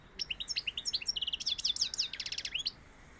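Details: European goldfinch singing in the Sevillian style, one dense three-second phrase of quick sweet chirps and rising-falling liquid notes ending in a rapid trill.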